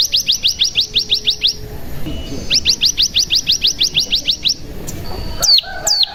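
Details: Bar-winged prinia, used as a lure for singing: two fast runs of rising clipped notes, each run lasting about two seconds, followed by two sharp downslurred calls.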